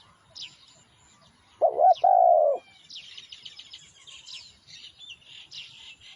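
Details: Spotted dove song used as a lure for wild doves: a single loud, hoarse two-part cooing phrase, a short rolling note then a longer falling coo. Small birds twitter thin, high chirps before and after it.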